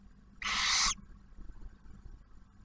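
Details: At a barn owl nest camera near Oak Harbor, Ohio, during the first owlet's first meal delivered by the male, a single breathy half-second screech rises out of a quiet background with a soft low hum.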